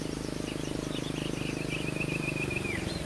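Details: Common kingfisher chick waiting for its mother to return, giving a thin, high, drawn-out whistle that holds steady and then drops at the end, over a steady low mechanical rumble and faint chirps.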